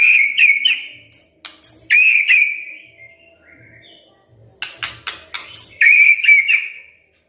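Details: White-rumped shama from Medan singing clear whistled notes that hold then slide down, interspersed with high pure tones and rapid dry clicks, with a short quiet gap in the middle.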